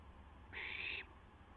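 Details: Barn owl owlet testing its wings, live nest camera, 12:06 AM on April 12, 2016; a single steady, hoarse hiss of about half a second against faint background hum.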